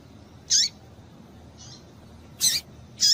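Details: Female double-collared seedeater calling to excite males: short, sharp, high chips, three loud ones at uneven gaps with a fainter note between, over a quiet background.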